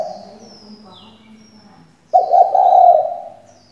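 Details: Female spotted dove kept as a decoy to stir males into singing: a faint murmuring coo, a short pause, then one loud, steady, throaty coo of about a second that fades away. No other clear sounds.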